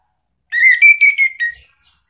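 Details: Orange-headed thrush ngeplong lure song meant to make a pet bird answer. A sustained, clear whistled phrase broken into several connected notes that hold steady, then fall away softly.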